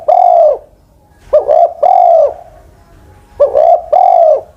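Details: Mellow cooing from an aged spotted dove decoy, more than ten years old; long low hoots alternate with short stuttered double notes, phrases repeating roughly every two seconds in quiet surroundings.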